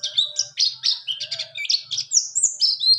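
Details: Rolling 'ngalas ngerol' song of a buxtoni white-eye, meant as a tutor recording and therapy for white-eyes that stop singing; a dense chattering run of high buzzy chirps and slurred whistles, about two notes a second.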